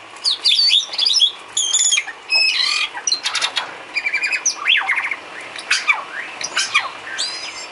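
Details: Filler song of a White-rumped shama for training caged songbirds: a loud, fast, varied stream of high whistles, sharp chips, buzzy phrases and sweeping slurs, delivered almost without pause.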